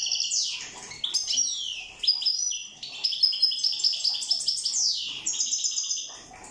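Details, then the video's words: Song of a European goldfinch from the island of Corsica, a continuous lively chatter of sharp high twitters, descending slurred notes and rapid rattling trills. "Chant chardonneret corse rosse"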